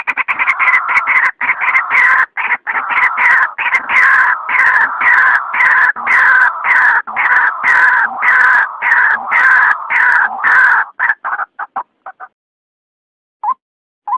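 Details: Loud, harsh, raucous chattering from a white-breasted waterhen, used as a night lure, forms a dense continuous churring that breaks into separate notes, then stops, with two faint isolated notes at the end.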